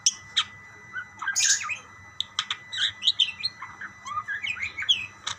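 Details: Budgerigars calling back and forth to each other: bursts of sharp high chirps and short squawky notes scattered across the clip, some rising and falling, over a faint low steady hum.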